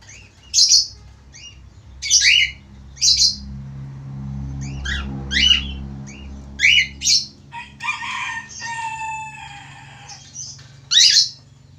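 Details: Male Australian parakeet (falk) singing actively: short, sharp chirps and twittering notes in separate bursts every second or so, with a longer warbled, buzzy phrase near the end, over a low steady hum.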